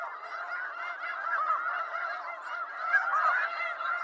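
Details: A flock of wild snow geese in eastern North America, many nasal honks blending into a continuous, busy clamor.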